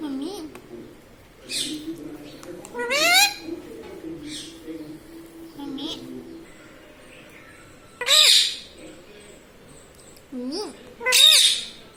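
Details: Talking pet Indian ringneck parakeet gives scattered short speech-like phrases and sharp upswept, laughing squeals, several loud bursts separated by quieter murmuring.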